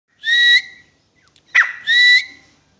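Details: Grey francolin giving two loud, clear whistled notes. Each note is held steady, then lifts slightly at the end. A short, sharp downslurred note falls between them. There is little background noise.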